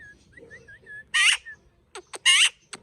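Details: Parrot giving a few soft whistled notes at an even pitch, then two loud, harsh, rasping squawks about a second apart, with short clicks between them in a quiet room.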